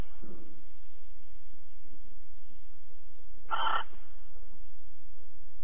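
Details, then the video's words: Alphen barn owl recorded at 21:37 on 22 April 2020 during mating and cuddling: a soft, lower, muffled sound at the start, then one loud, harsh hiss midway, over a continuous low hum. "Kerkuil Alphen 2020 04 22 Paring en Kroelen 21 37"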